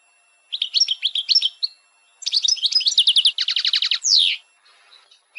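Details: Female European goldfinch calling to stimulate males for crossing with canaries: a short series of bright chirps, a pause, then a fast descending trill series and a sweeping downward note, followed by faint twitters.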